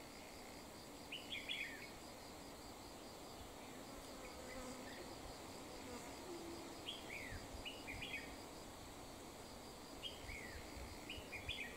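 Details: Wild red-whiskered bulbul during decoy trapping: three short bursts of bright, chirpy whistled phrases with quick up-and-down notes, separated by several seconds, over a steady high insect buzz and trill.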